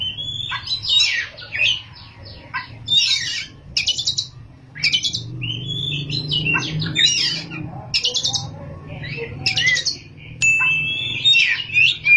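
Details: Oriental magpie-robin in vigorous ngerol and nembak song: bursts of buzzy, trilled high phrases and whistles separated by short gaps, over a steady low hum.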